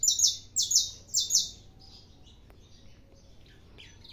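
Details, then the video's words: Saffron finch in a cage, early morning: three bright, slurred high phrases in the first second and a half, then near silence with only faint distant chirps. "canário da terra cantando"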